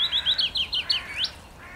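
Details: Brief willow warbler phrase from 17 May 2021, about eight clear, slurred whistled notes delivered rapidly in a lilting sequence, ending with a quick rising upslur.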